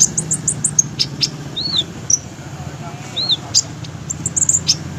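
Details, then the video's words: Olive-backed sunbird kept as a fighter bird: rapid high chips at the start, then two arched whistled sweeps separated by about two seconds, with scattered thin ticks and a low hum behind. "KONIN FIGHTER DEWA BUJANA"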